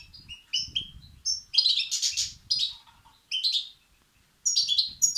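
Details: European goldfinch nestlings calling for food, used to stimulate males: rapid strings of high chirps and harsh twittering bursts, several clusters with brief gaps and a soft low background rumble.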